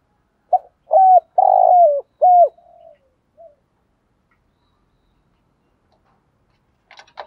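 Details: Spotted dove kept as a decoy bird in training gives a short series of low, hoarse coos: about four rich notes, each sliding slightly downward, within two seconds, then a faint trailing coo and silence, with a brief rustle at the end.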